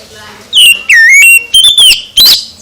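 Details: Oriental magpie-robin in morning song, giving a quick run of loud, clear whistles that slur down and rise again, with short sharp notes between them.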